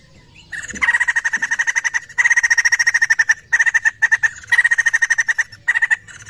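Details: Laughingthrush answering-lure recording with repeated bouts of quick, grating, evenly spaced notes, each bout lasting one to two seconds, split by brief pauses.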